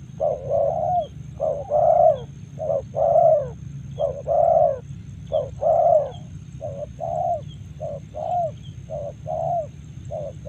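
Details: Low, hollow coos of a spotted dove from Karawang, delivered in fairly regular runs of short notes separated by brief pauses, over a continuous low background drone.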